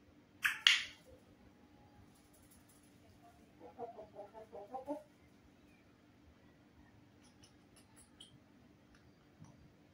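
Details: African grey parrots talking in Hindi: a sharp, loud broadband squawk near the start, then a short run of five or six speech-like voiced syllables, followed by faint high clicks against a quiet steady hum.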